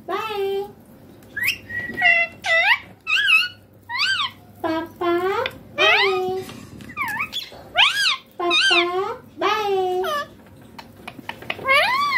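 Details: Green ringneck parrot talking: a run of harmonic, speech-like syllables with rising and falling inflections, spaced by short pauses, over a faint low hum.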